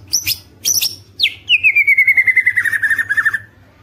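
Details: White-rumped shama song meant to spur other shamas to sing: two harsh chattering bursts, then a long descending whistled trill of rapid repeated notes lasting about two seconds.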